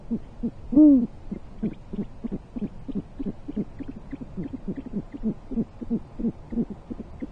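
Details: Great horned owl pair at their elevated basket nest in Corona, California, January 2023, during a midday prey handover; one strong, drawn-out deep hoot rings out early, followed by a rapid, even chatter of low hoots, roughly three each second.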